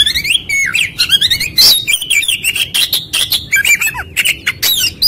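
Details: Oriental magpie-robin (kacer) lure song meant to trigger a quick, fired-up response: a rapid run of loud high whistles, sharp chirps and buzzy notes, some sliding up or down, packed closely with few pauses.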